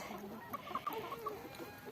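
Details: Hens in their coop, waiting impatiently for a large load of freshly gathered grass, give a few short, soft clucks in a quick uneven run, with faint background hum.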